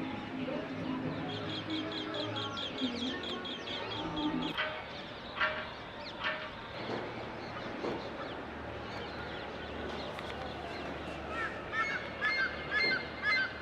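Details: Birds singing at sunrise on an early morning, recorded from a terrace: a fast run of high, evenly repeated notes, then scattered sharp calls and bright twittering phrases, with a soft low rumble underneath.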